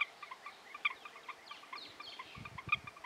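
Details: Rio Cuixmala flock of lilac-crowned parrots, 20 May 2018: overlapping raspy squawks and chattering notes from several birds, with two louder calls standing out and low rumbling bursts late in the recording.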